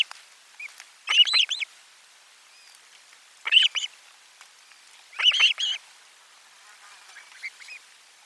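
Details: Osprey calling at the nest during a lunch fish delivery, nest camera four, 12 July 2022: three loud bursts of rapid, shrill chirps, spaced about two seconds apart, with quieter chirps in between.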